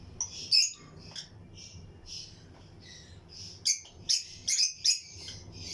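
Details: Lutino lovebirds chirping in a colony breeding aviary: a few sharp high chirps early on, a quieter run of soft squeaks, then a closing series of five or six loud, piercing chips.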